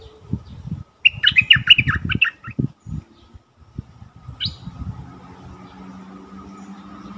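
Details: Caged decoy bulbul, fully feathered, taken into the forest to lure wild birds, recorded 8 August 2021. It gives a burst of rapid, bright chattering notes lasting about a second. Low knocking thumps follow, then a single higher note.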